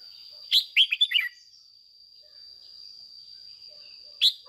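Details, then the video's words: A captive decoy red-whiskered bulbul delivers one quick phrase of bright, chattering whistles in the 'ché' manner, then a pause and the start of another note. A thin constant high hum persists. "Luyện chào mào mồi hót ché căng - Ép chào mào hót sáng kích bổi già rừng"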